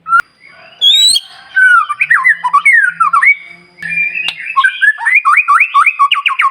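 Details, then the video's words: White-rumped shama singing in the morning, a lure song played to provoke other birds into singing: loud varied whistled phrases, sweeping slurred notes, then a fast run of repeated rising whistles near the end, with a few sharp clicks. "Pancingan Murai Batu Paling Ampuh Bikin Burung Lain Meledak Bunyi"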